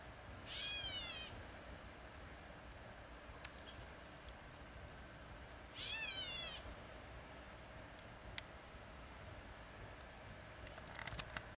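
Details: A Gray Catbird at a park on the Red Deer River bank in Drumheller, Alberta, gives two nasal, cat-like mewing calls several seconds apart.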